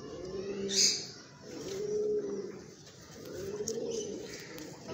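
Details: White Pomeranian Pouter pigeon, an adult male, giving deep, resonant, drawn-out coos, three long rolling phrases about a second apart. A brief higher rustle or squeak occurs near the start, and background noise is present.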